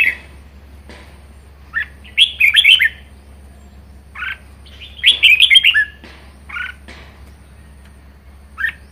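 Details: Caged red-whiskered bulbul singing in the lively ché style: short whistled, warbling phrases around the middle-high range, a long bubbly burst near two seconds and another near five, separated by brief single notes over a low steady hum.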